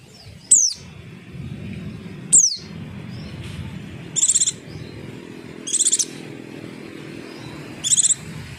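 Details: Javan white-eye calls used as a lure to make other birds answer: high thin descending notes about every two seconds, then three buzzy trilled bursts near the top of the range, over low background hum.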